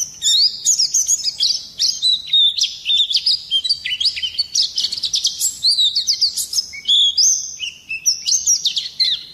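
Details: Oriental white-eye singing in a fast, continuous roll of high, thin twittering notes, sliding and jumbled, with sharp bursts between, used as a master recording to provoke other birds into singing.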